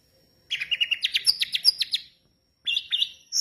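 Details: Orange-headed thrush singing in 'gacor dor teler' style: a rapid rattling series of about fifteen ringing notes in a second and a half, then high whistled phrases that rise at the end.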